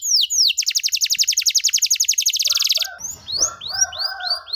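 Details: Canary in vigorous long-phrased 'cengkok mewah' song, used to tutor young canaries: a few falling notes, then a rapid rattling trill lasting about two seconds, followed by softer upswept chirps with slight background noise.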